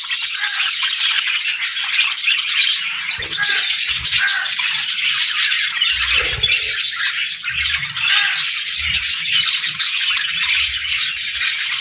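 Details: Morning feeding time among budgies: unbroken, dense chirping and chattering from many birds, with a few low knocks in the middle.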